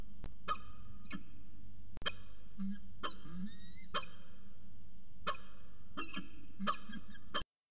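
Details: CSU Orange peregrine falcon pair on the afternoon of 13 January 2019: scattered sharp harsh calls mixed with a thin, rising drawn-out whine mid-way, a low hum throughout, and a sudden cut at the end.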